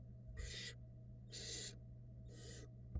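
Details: Nestling barn owls being fed by the female at a Florida nest-box camera, 2022: three rasping, wide-band hisses, each near half a second, spaced about a second apart, with constant electrical hum beneath.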